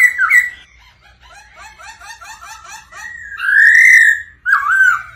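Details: Captive Black-throated Laughingthrush singing and display-dancing, possibly with female "ro ro" calls played to excite it: clear mid-pitched whistles, a rapid run of chattering, bubbling notes, then loud, rich, rising-and-falling whistled phrases.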